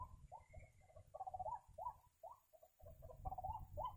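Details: White-breasted waterhen calling where birds are being trapped: hoarse, upward-curving notes alternating with quicker chattering clusters, repeated irregularly, a faint higher chirp from another bird and low background rumble.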